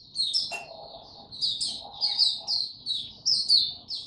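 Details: Oriental white-eye singing in the tiong aw style, recorded 25 January 2022 after it slept late the night before: rapid high, sweet chirped notes, each slurring downward, in uneven bursts, with a faint lower murmur early on.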